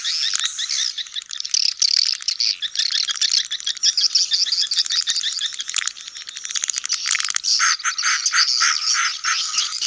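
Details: Crowded swiftlet colony, sedot anakan sound for new nesting buildings: steady buzzy chatter with sharp clicking ticks scattered through, growing into rapid pulsed rattling bursts near the end.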